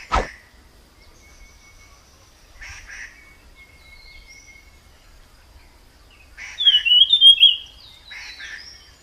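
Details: Wild jungle flycatcher (tledekan) song: after a sharp click, a long thin steady whistle and scattered soft notes, then a bright burst of rapid warbled, slurred high whistles.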